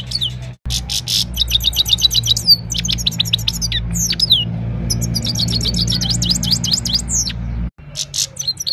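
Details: Himalayan goldfinch singing in the evening, captured on a mobile phone: rapid, high liquid twittering with quick rising and falling tinkling notes in dense runs, broken by two brief cuts, over a steady low hum.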